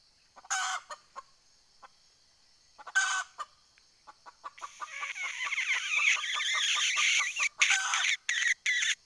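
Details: Decoy hen red junglefowl cackling to lure wild fowl, recorded 20 April 2020: two short harsh bursts among soft clucks, then a dense, noisy stretch of overlapping clucks and rasping notes with sharp clicks near the end.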